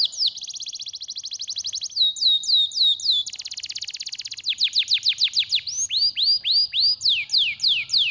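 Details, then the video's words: Canary song meant to stimulate lazy canaries into singing: fast, bright trills of rapidly repeated high notes, shifting between tours of sweeping downslurred whistles and quick rattling series, loud and continuous throughout. "GUT ... sehr stark bei der Stimulierung des Geräusches fauler Kanarienvögel"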